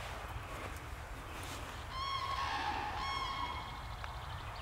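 Common Crane giving two loud, rolling trumpeted calls about a second apart, harsh and rich in overtones, over a steady low rumble of wind.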